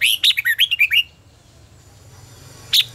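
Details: Red-whiskered bulbul contest song, used as lure calls to train birds: a fast run of about seven bright, bouncing whistled notes within one second, then quiet with a soft hum and one final sharp chirp.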